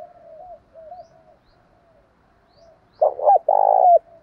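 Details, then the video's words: Spotted dove, male and female calls for stirring kept doves to call: quiet, gently rising and falling coos for three seconds, then one loud phrase of a short coo and a long rolling coo. "tiếng chim cu gáy kích bổi hiệu quả hàng ngày"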